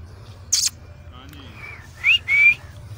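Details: Pet Alexandrine parakeet in a park giving two clear rising whistles, the second longer and steadier, after a sharp noise burst, with a man's voice softly calling to the bird.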